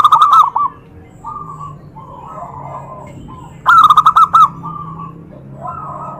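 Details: Zebra dove whose cooing provokes other doves to respond. A short loud burst opens, then softer distant doves murmur before a second loud string of about seven fast, bouncing coos.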